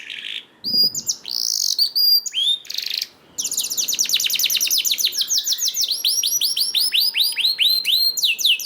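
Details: Canary song played to prompt other canaries to sing: rapid, loud trills of high, downward-sweeping notes repeated in quick runs, with varied chirps and short tours of evenly spaced notes, plus a brief low thump near the start.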